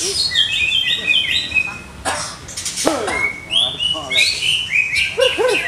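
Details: Captive greater green leafbird under conditioning trials sings clipped high whistles and sharp down-slurred chips in rapid succession, with a few noisy bursts mixed in.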